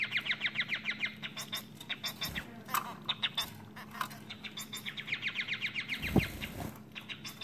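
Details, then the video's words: A male society finch in a cage sings during his full courtship song and dance, after jumping on the female: a fast, buzzy warble of rapid repeated notes around a high pitch, with rattling phrases and a low hum in the background. "Society Finch singing big time!"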